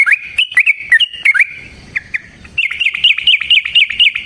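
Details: Fighting song from a Yellow-vented bulbul, a lure to make other bulbuls sing: bubbly twisting notes, a brief gap with two soft chips, then a fast dense chattering run.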